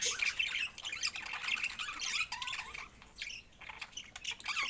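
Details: Budgerigars giving loud harsh squawks and chirps in quick bursts, rougher calls at the start, then softer warbling chatter with brief gaps.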